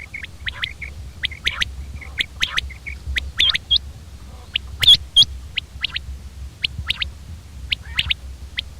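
Common quail giving short, sharp, high liquid notes, often in quick clusters of two or three, over a steady low rumble of background noise.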